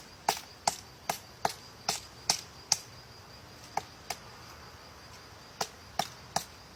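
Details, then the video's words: Woodpecker pecking at a tree with sharp, hard knocks, about two or three a second, in short bursts separated by pauses, faint outdoor hiss behind. "woodpecker cutting a tree"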